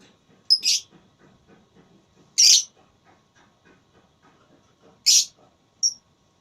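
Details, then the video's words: Lovebird in a singing contest gives a few loud, harsh, high-pitched bursts spaced two to three seconds apart over a soft, low, ticking chatter. "Lovebird Tarung Suara"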